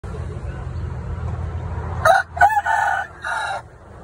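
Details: A fighting-breed rooster gives one hoarse crow of about four harsh, stepped syllables lasting under two seconds, over a low steady rumble of background noise.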